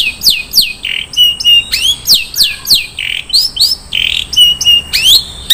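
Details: Long-tailed shrike singing 'isian mewah' filler song: quick downward-sweeping whistles mixed with harsh buzzy squawks and short rising notes, delivered rapidly and almost without pause.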